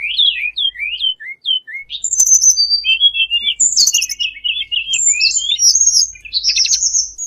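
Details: Bar-winged prinia sound played as a trapping lure: short downslurred chirps, then a dense, fast jumble of high twittering, buzzy and whistled notes continuing without pause.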